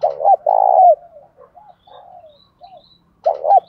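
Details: Spotted dove fighting coo, used to provoke fights and train decoy birds: loud, low, rolling two-part coo, then softer, quavering trailing notes and another loud coo beginning near the end. Quiet surroundings.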